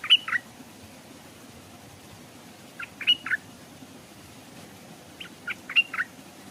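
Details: Caged decoy Stripe-throated Bulbul hung beside a stream to lure wild birds, which came but would not land. Three short bursts of bubbly, chirping notes come several seconds apart over a low background hiss.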